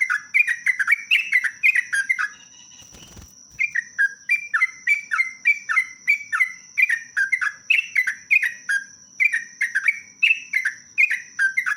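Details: Sooty-headed bulbul in long, lively, rapid song: an almost unbroken stream of bubbly, falling whistled notes, briefly interrupted by a soft thump, with a steady shrill electronic tone throughout.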